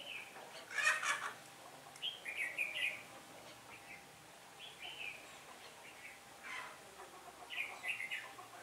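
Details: Decoy red-whiskered bulbul at a trapping site singing competitively to draw wild birds in. The day of changing wind is 15 October 2017. Repeated brief, bright warbling phrases are separated by pauses, with a short burst of rustling noise near the start.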